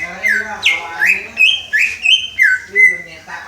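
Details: Greater green leafbird rehearsing the "Om Telolet Om" bus-horn tune in rounded whistled notes that swoop up to a level tone and step down, about three per second, in a horn-like rhythm.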